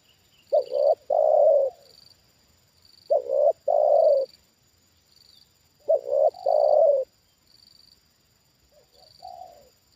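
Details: Trained spotted dove responding to a wild bird that has dropped in again: steady series of low, mellow coo phrases about every two and a half seconds, a stuttered opening then a sustained hollow note, ending with a softer single coo.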